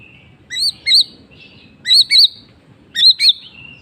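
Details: White-rumped shama singing in the afternoon, giving three repeated paired phrases of high, wavering whistled notes about a second apart, each pair followed by a thin drawn-out whistle, over low background rumble.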